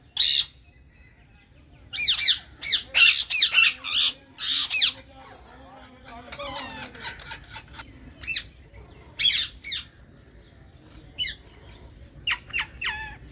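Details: Rose-ringed parakeets in a colony give harsh, screechy squawks in irregular bursts, several birds calling over one another with short gaps between.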